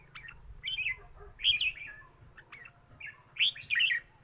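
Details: Red-whiskered bulbul kept in a cage, singing for a competition that counts its song phrases: short, clear, slurred whistled phrases repeated about every second, with quiet gaps and a soft background hum.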